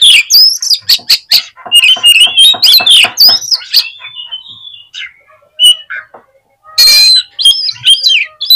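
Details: Lure song of an Oriental magpie-robin for stirring up others of its kind: a fast stream of varied whistles and clicks fades into scattered notes, then ends in a loud rasping burst and warbling.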